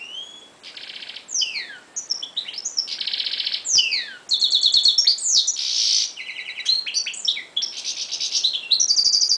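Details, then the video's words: A European goldfinch × canary hybrid sings a fast, high, unbroken song: buzzy rattles mixed with twittering trills and quick swooping whistles, phrases changing constantly. "carduelis x canary"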